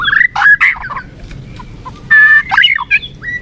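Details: Murai batu, the white-rumped shama, in a short stimulating song bout meant to make a weak bird more combative. Two harsh, chattering bursts are separated by a near-silent gap.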